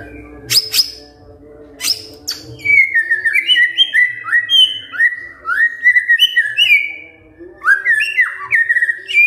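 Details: Kretekan fighter song of a white-rumped shama, used to draw a response from silent birds. It starts with a couple of sharp clicks, then gives a long, fast series of clear whistled, swooping phrases with chattered notes between.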